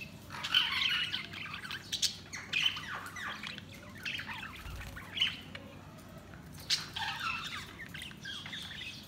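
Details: Budgerigars chattering steadily, with dense high chirps, squawks and warbles repeated in clusters throughout, punctuated by a low thump.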